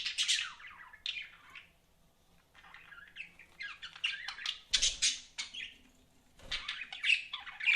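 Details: Budgerigars kept as pets chatter in scratchy, warbling phrases, some notes sweeping downward, broken by a quiet stretch and two low knocks.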